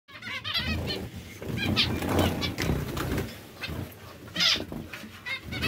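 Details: Breeding pairs of zebra finches calling together: overlapping nasal, harmonic chirps in quick succession, with two sharp bright bursts and a steady low hum underneath.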